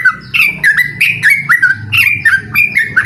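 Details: Challenging a rival, a yellow-vented bulbul pours out lively ropel song: chattering, bubbly phrases of slurred whistles, tumbling up and down in pitch without pause, with a soft low hum underneath.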